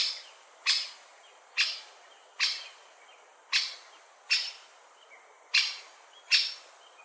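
A great spotted woodpecker gives sharp, clicking 'kik' notes, about eight in seven seconds, spaced unevenly against a quiet background.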